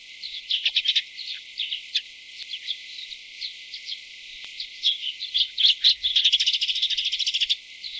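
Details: During chick feeding, tree swallows of North America give high thin twitters in irregular bursts, ending in a dense, rapid, steady chittering run.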